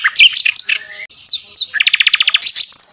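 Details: Javan white-eye and mugimaki flycatcher song for tutoring songbirds: jumbled high twitters and two sweeping downslurred whistles, then a quick even series of about ten bright notes and a high warbled finish.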